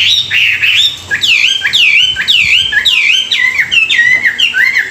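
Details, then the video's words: Caged Chinese hwamei singing in the morning during song training: loud, varied whistled phrases with swooping up-and-down notes, rapid repeated slurred motifs one after another with hardly a pause. "luyện giọng họa mi họa mi hót buổi sáng"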